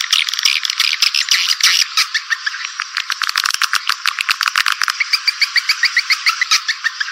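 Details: Swiftlet attraction call: a thick chorus of shrill chirps opens, then settles into a steady fast ticking rattle of clicks interspersed with small repeated twittered notes, all high and thin.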